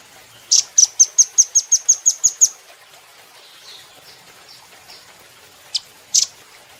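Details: High, rapid ticking series from a velvet-fronted nuthatch on a cage-bird training recording: about nine sharp, thin notes in quick succession. After a quiet spell, a single chip and a short double chip follow.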